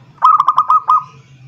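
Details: Zebra dove calling a rival, used as a lure: a single quick phrase of about six rolling, pulsed coos that trails off into a soft drawn-out note, with a low background hum.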